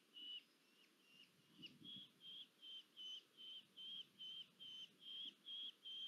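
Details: Red-footed falcon, female, delivering food at a nest in Polgár, Hungary, 1 August 2022: a fast run of about thirteen high notes, the first few softer, then louder and regular at over two per second.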